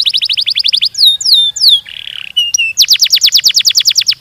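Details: Canary delivering a continuous rolling song at speed: a brisk trill of repeated down-slurred notes, looping whistled glides, a low rasping buzz, brief high chips, then a renewed rapid roll; nothing else audible.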